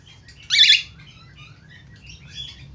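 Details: Australian finch in full voice: a strong, harsh, high chirp near the start, then a scatter of soft twittering notes over a faint low hum.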